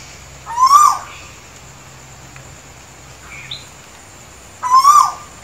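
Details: Asian koel in Sri Lanka gives two loud, rising whistled notes about four seconds apart, with a faint hum in the background.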